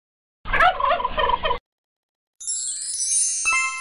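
A turkey gives one quick, rattling gobble about a second long, a rapid bubbling burst. A bright electronic chime and sweeping musical flourish follow.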